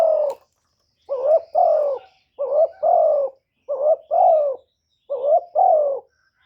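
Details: Spotted dove cooing to lure wild doves: four or five two-part phrases, a brief wobbling note then a drawn-out descending coo, repeated roughly every 1.3 seconds in a steady rhythm, with no other sounds.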